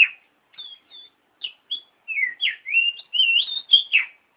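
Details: Oriental magpie-robin singing, used as a training master for other birds. A few soft chips lead into a continuous run of rising and falling whistled notes that grows louder toward the end.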